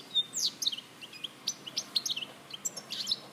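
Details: European goldfinch from Larache, recorded in 2014, singing a fast, varied run of high tinkling chirps and short twittering notes. Brief pauses break up the phrases, and faint background hiss runs underneath.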